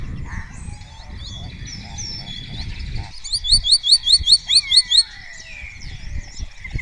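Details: Spotless starling singing in close view at the raña of Cabañeros National Park, Spain, answered by other starlings, repertoire with imitations; varied whistles and chatter, then a loud run of eight rapid repeated clicking whistles and a falling slurred whistle.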